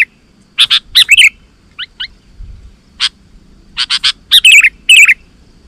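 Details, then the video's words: Sooty-headed bulbul voice, used to call wild bulbuls into answering: short bubbly chirps and warbled notes, a few thin whistled notes between them, arriving in brief separate bursts over a quiet background. "Suara Burung KUTILANG GACOR 100% Ampuh Untuk Suara Panggilan Kutilang Lain auto Emosi dan Gacor"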